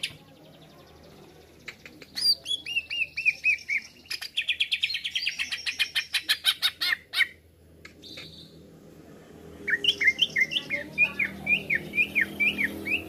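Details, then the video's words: Provoking lure song of a greater green leafbird: a fast, buzzy, chattering stream of rapid notes, a short pause, then bright, bouncing whistled phrases with rising and falling slurs, repeated roughly twice a second. "Masteran/pancingan cucak ijo langsung emosi"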